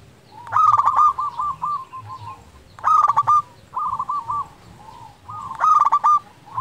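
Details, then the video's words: Local zebra dove in steady song, used to coax reluctant birds to sing: loud clattering stutters every three seconds or so, each followed by rolling, trilled coos. "Perkutut lokal gacor pancingan untuk perkutut malas bunyi"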